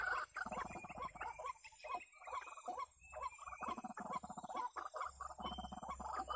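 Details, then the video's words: Harsh pulsed croaking of a white-breasted waterhen, played to lure the birds into a trap: choppy repeated bursts of rattling notes, broken by brief pauses, with faint thin whistles and a steady hum behind. "Pikat Ruak-Ruak"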